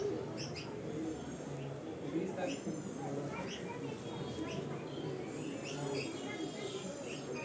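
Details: Birds in India chirping while feeding: short, high, sharp chirps and brief twittering notes scattered throughout, sometimes in quick pairs, over a steady low rumble with people talking in the background.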